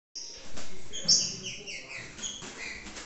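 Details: Green-winged saltator paired with a female, giving loud whistled phrases that start abruptly and then break into a series of shorter, fading notes, with low background rumble.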